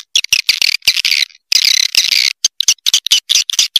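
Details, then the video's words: A swiftlet call recording: dense, high, buzzy twittering in quick bursts, broken by sharp clicks and brief gaps. No other sounds are heard. "Suara Panggil Walet Raja Liur"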